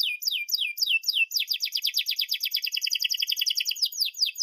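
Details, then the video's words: Song of a canary, used as a model for young canaries learning to sing: three descending whistled sweeps followed by a long, rapid rolling trill of bright, high chirps. "kenari gacor panjang NEMBAK TAJAM ini ahlinya untuk PANCINGAN KENARI PAUD BELAJAR BUNYI"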